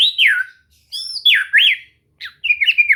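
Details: White-rumped shama (murai batu) recorded for relaxed training meant to get a bird singing often: three bright whistled phrases, each sweeping down from high to mid pitch, with short silent gaps between.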